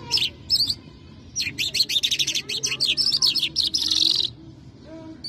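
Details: A Mashadi lark sings a fast, jumbled run of high chirps and trills, first in brief bursts, then in a dense three-second stream. There is a faint low hum underneath.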